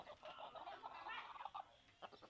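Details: Chicken clucks and a drawn-out, slightly harsh call, then a few sharp clucks after a short pause.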